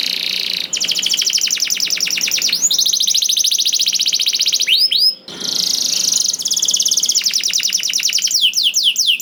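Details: Canary song played to get other canaries singing quickly: long rapid rattling trills at high pitch, broken by quick upward-sweeping whistles, a brief pause midway, then more dense trilling ending in sharp chirps.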